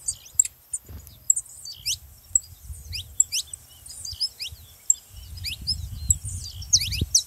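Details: Saffron finch song played to encourage other canaries to sing: scattered high, thin downslurred notes with brief pauses, over faint background rumble that strengthens toward the end.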